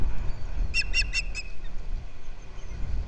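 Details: Osprey at a Captiva nest camera, February 11, 2023, the male delivering fish to the female. Four short, high whistled chirps in quick succession, set against steady wind noise.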